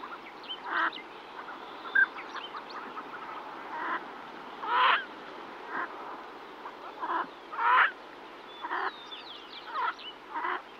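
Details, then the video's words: Female yellow-billed pintail calling to her ducklings, close up, giving short, harsh quacking notes about every two to three seconds, with thin songbird notes in the background. "Yellow-Billed Pintail. MCU Female Calling To Ducklings With MCU Songbird."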